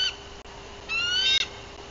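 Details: Bald eagle mother on guard after landing at her nest in Bluff City, Tennessee, spring 2023. A clipped note is followed by one longer piercing whistle that climbs gently, then quiet with background hum.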